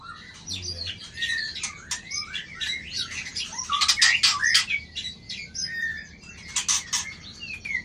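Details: White-rumped shama flicking its tail to intimidate a rival while singing a dense, fast song of varied whistles, slurred rising and falling notes and sharp chips, loudest in a burst near the middle.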